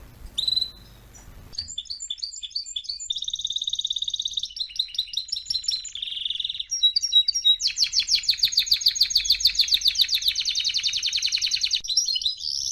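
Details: ['Canary singing as a training model for young birds learning song: after a brief noisy start, a varied sequence of high trilled tours, some whistled and steady, others rapid and chattering, ending in a dense fast rolling trill.']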